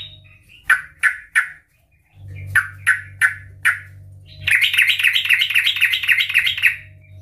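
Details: Sooty-headed bulbul in loud 'ngeplong' singing style, used to lure other bulbuls into song: three short downslurred notes, a pause, four more, then a long rapid bubbling trill, over a low steady hum.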